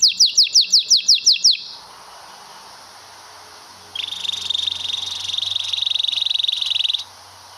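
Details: Canary singing a long roll for song tutoring: about nine loud sweeping upslurred notes, a short quiet gap, then a fast buzzing trill held steady for around three seconds.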